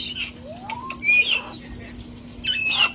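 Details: Sanctuary parrots enjoying time outdoors before cold weather; a rising whistled slur, then grating squawks with bright whistled overtones in two bursts, over a steady low hum.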